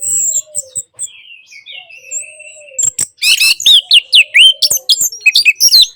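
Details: Orange-headed thrush singing, used to coax silent birds into song: thin drawn-out whistles and soft low tones at first, then a burst of loud, quick, sharply slurred notes repeated in a lively jumble.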